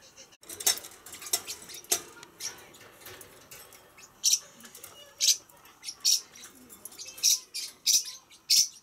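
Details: Pacific parrotlet giving short, harsh, high chirps, scattered at first, then louder and spaced roughly every half second to second toward the end, over a soft background murmur.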